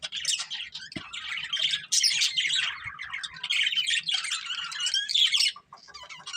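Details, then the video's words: Budgerigar breeding pair giving a continuous chatter of harsh squawks mixed with high twittering notes and buzzy warbles, almost without pause, fading quieter at the end. "Beautiful Budgies Chirping Sounds | Love Birds Breeding Pair"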